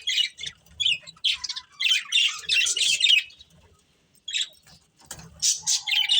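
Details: Budgie breeding pair giving harsh, buzzy chirps in a steady run of chatter, a brief pause near the end, then renewed sharp squawks and a thin whistled note.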